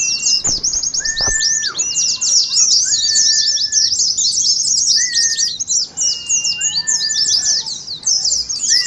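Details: Ngeriwik song of wild-type Oriental white-eyes for contest simulation: nonstop high, buzzy twittering in fast, crowded bursts, with scattered short whistled notes lower down and a few clicks at the start.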